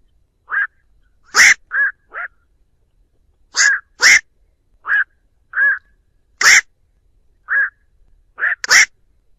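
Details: Lure recording of a black-crowned night heron calling the flock, clean background. Rapid, irregular series of about fourteen croaking calls, with abrupt rasping blasts mixed among shorter, hoarse, mid-pitched quacks, often in pairs.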